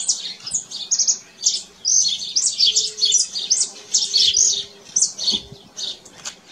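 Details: Canary singing outdoors in nature, delivering bursts of high chattering trills and bright twitters separated by brief gaps, with a faint low hum running underneath.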